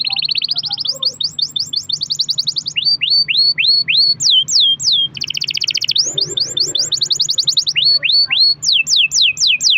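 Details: Singing canary in long-roll style, played as a lure to set other canaries singing: fast buzzy trills alternate with series of rising whistled slurs and quick falling sweeps, each phrase repeated several times, with faint low hum beneath.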